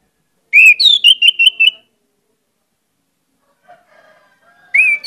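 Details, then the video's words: Vigorous, phrase-rich song of an Orange-headed thrush, played to lure other birds: a rising whistle followed by five quick repeated whistled notes, a long pause with faint low tones, then a new rising whistled phrase begins. "pancinagan anis merah gcor banyak isian"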